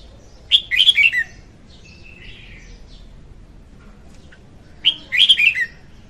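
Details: Song of a female red-whiskered bulbul, used as a lure for trapping: a sharp, lively whistled phrase, then quiet twittering notes, then a matching phrase about four seconds after the first, in a quiet setting.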